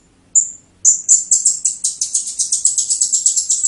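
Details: Serindit teler song from a blue-crowned hanging parrot: a single thin whistle, then an accelerating run of sharp, high, scratchy notes repeated several times per second.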